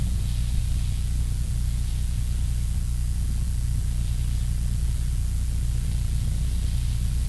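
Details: Only white-noise hiss and a deep electrical hum run through the whole stretch, with no animal voice.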